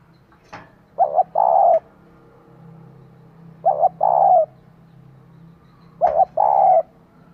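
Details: Female spotted dove calling to stimulate a male, three phrases about every two and a half seconds, each a short double coo then a longer level coo, with clicks and a low hum.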